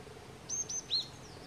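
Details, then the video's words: Chestnut-vented Nuthatch (Sitta nagaensis montium) at Doi Lang, Thailand, 13 February 2024, giving three short, high, thin call notes in quick succession, the last slightly lower and stronger, over faint background hiss. "Chestnut-vented Nuthatch"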